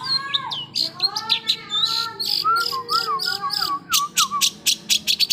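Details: Long-tailed shrike delivering a rich, varied song: chirps, slurred whistles rising and falling, then a run of sharp clicks near the end.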